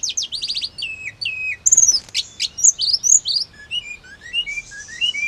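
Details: Hill blue flycatcher song for stirring caged birds to answer: stuttering repeated high notes, a short noisy burst, then lively warbled whistles rising and falling to the end.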